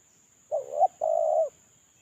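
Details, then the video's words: One lure phrase from a molting, unpaired spotted dove decoy: a wavering coo rising at its end, then a sustained hoarse coo of about half a second, over a quiet background. "Suara terkukur suara pancingan terkukur"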